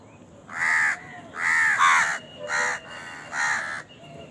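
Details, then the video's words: Crow cawing during a feeding scene: four loud, harsh, drawn-out caws spaced under a second apart, the second one doubled, with a low steady background hum. "Crow Bird Eating Scenes and Crowing Sound"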